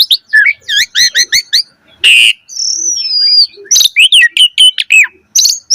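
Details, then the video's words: Javan pied starling, a young bird, in lively song: varied loud whistles, rising and falling slurred notes, rapid repeated chirps and a harsh burst, all high-pitched and clean with no other sounds. "Pancingan Jalak Suren Gacor Mompa"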